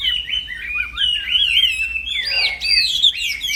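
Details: Black-throated laughingthrush singing continuously as a songbird tutor: one flowing ribbon of high whistled warbling, smoothly gliding and wavering, swelling into a louder, more complex burst in the final second.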